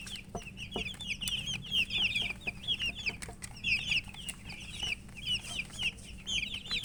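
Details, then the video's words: Flock of colourful baby chickens chirping from thirst for drinking water: a dense, continuous chorus of high, piercing peeps, many overlapping downslurred cheeps with a steady low hum and occasional clicks beneath. "Murgi chicks Chirping sounds with thirst for drink water"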